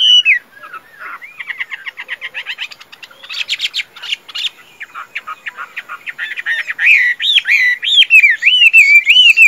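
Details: Tame Chinese hwamei, noted for strong singing and fighting, starts with a falling whistle and fast rattling trills, then builds to loud, looping whistled phrases repeated steadily toward the end.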